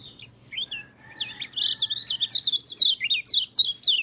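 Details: White-eye singing, a recording meant to coax reluctant white-eyes into song; it starts with sparse, thin notes, then builds into a fast, continuous high warble of sliding, chirping phrases with a low background hum.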